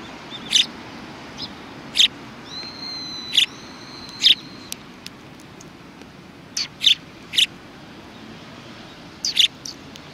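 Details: Sparrows recorded on 22 December 2018, with isolated short high chirps spaced a second or more apart, a few thin drawn-out tones, and a constant low rumbling background.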